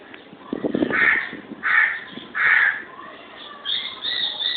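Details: Two pet lovebirds at home give three loud, harsh squawks spaced under a second apart, preceded by a lower rasping note, then thinner, higher chirps near the end.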